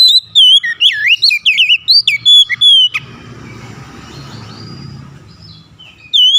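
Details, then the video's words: Oriental magpie-robin whistling a fast, varied phrase of looping notes, followed by a few seconds of soft background hiss before the song starts again. "SUSUNAN KICAUAN KACER YANG INDAH DAN ENAK DI DENGAR"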